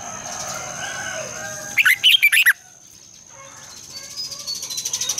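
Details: Red-whiskered bulbul in morning song, long double-twisted voice. A single rapid phrase of five or six ringing, looping whistles, followed by faint chirps from other birds and a steady thin whine.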